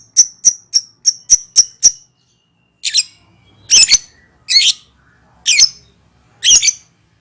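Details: Ngekek call of a lovebird, used to lure birds: a fast run of seven sharp high chirps in under two seconds, followed by five harsh, rasping screeches spaced roughly a second apart.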